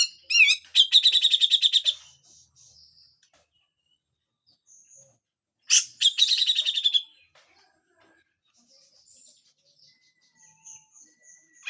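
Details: Harsh full song of a Grey-cheeked bulbul, with two bursts of rapid, rattling, buzzy notes about five seconds apart. Faint scattered chirps and thin whistles fill the quiet gaps.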